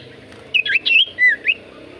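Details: Brief Javan white-eye phrase used as a lure for common ioras: four quick twisting whistles, rising and dipping, over a steady low background noise.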